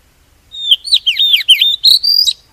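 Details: Decoy song of an oriental magpie-robin for trapping birds and prompting them to sing, a bright sequence of swooping whistles and slurred notes over about two seconds, closing on a sustained high whistle.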